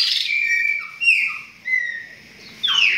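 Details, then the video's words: Chopi blackbird song: a few long, bright, whistled notes, some gliding downward, broken by quiet pauses of about half a second. "BARULHO DOS PÁSSARO PRETOS"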